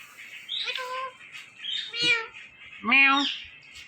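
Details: Harsh, buzzy squawks from an Indian ringneck parrot, three rough calls about a second apart over a constant hiss of background noise.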